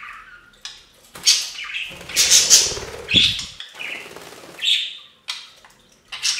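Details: Pet budgerigars splash in a bird fountain, chirping in quick scratchy bursts mixed with wing flutters and loud sprays of water.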